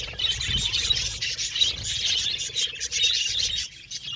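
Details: Budgerigar colony in an aviary: constant high-pitched twitter and chirping from many birds at once, bright and busy, with a faint low background hum.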